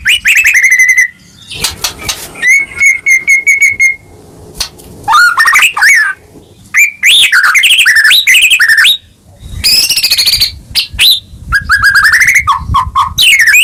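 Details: Loud, emotive singing from a White-rumped shama, intended to provoke silent caged birds: steady whistled notes, rapid clicking trills, then tumbling harsh and rich whistled phrases rising and falling in quick alternation.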